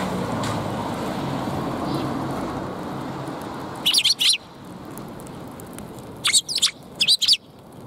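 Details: Sparrows at a Tenmangu shrine on 2 March 2021, giving two bursts of short, bright chirps after several seconds of low background rumble, the second burst a quick run of three or four notes.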